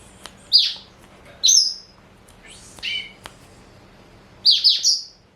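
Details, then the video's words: Seed-eating pet male black-throated canary, four years old and a Somerini x Botswana cross, produces scattered high chirps and short sweeping notes, ending in a quick run of three bright notes. "Kicau Merdu BLACKTRHOAT SOMBOS Somerini x Bostwana Usia 4 Tahun"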